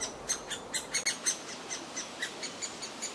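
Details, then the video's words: Great spotted woodpecker chick calling noisily for food during feeding in the grounds of the former Rowden's House; loud, sharp, high-pitched notes in quick succession, roughly four per second, each a brief scratchy chip. "Great Spotted Woodpecker feeding a noisy demanding chick"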